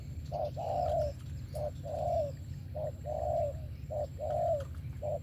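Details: Spotted dove in thổ-style song, noted for a fine voice: clear soft coos pairing a brief note with a longer wavering one, about once a second, low hum beneath.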